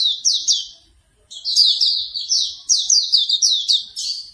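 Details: Hume's white-eye giving fast, sharp, down-slurred chirps in a shrill twittering phrase, briefly interrupted by a short gap; morning therapy song meant to get a bird singing.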